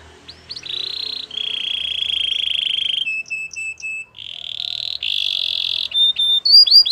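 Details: Belgian canary singing for canary training, with long buzzy rolling trills, a lower series of short repeated notes, then brighter trills and quick upward-sweeping chirps at the end.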